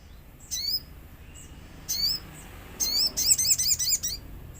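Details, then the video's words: Lure song of a common iora meant to make birds answer, with nature sounds: two isolated bright chirp bursts, then a fast volley of sharp, bending high notes. "Pancingan sogon agar bunyi | sogon gacor suara alam"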